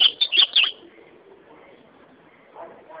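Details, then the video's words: Ultramarine grosbeak singing a brief burst of quick, sweet whistled notes lasting under a second, followed by near quiet with faint background murmurs. "azulão cantando"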